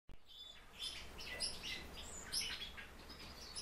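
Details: Warbling white-eye, a kept cage bird, giving high, thin chirps and short twittering notes that come in quick bursts over a steady low hum.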